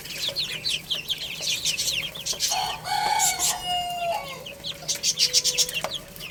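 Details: Baby chicks playing and eating, a dense chorus of high, quick chirps with slurred peeps, broken around the middle by a few longer, lower drawn-out tones and short clicks.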